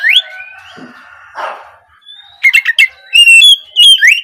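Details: Morning song of an Oriental magpie-robin, used to coax young 'trotol' birds to sing; long level whistles and a rasping burst give way to quick choppy notes and sweet sliding whistles.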